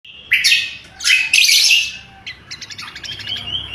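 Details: Lesser green leafbird singing loud and sharp, used as a lure and training song: a burst of harsh, chattering high notes followed by thinner rapid twittering and whistled slurs.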